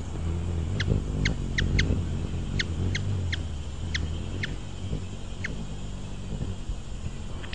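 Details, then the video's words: Ruby-throated hummingbird, Archilochus colubris, uttering about ten crisp, high chips at uneven intervals, some close together, with a continuous low humming rumble underneath. "Ruby throated hummingbird | call / song, wing sounds"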